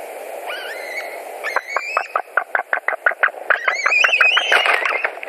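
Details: White-tailed eagles at a nest in Latvia on 11 July 2020 at 21:09, as one bird returns to the nest for dinner: rising whistled notes, then a fast run of short, sharp yelping pulses mixed with whistles, over a steady low hum.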